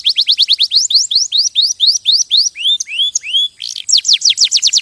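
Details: Pet canary song: a quick train of falling notes, slower long curved whistles in the middle, then a dense burst of fast repeated notes to finish.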